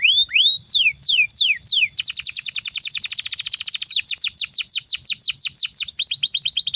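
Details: Pet canary in vigorous song, played to train young canaries and revive silent ones: a few spaced rising and falling whistles, then a long rapid roll of sharp swept notes at about seven per second.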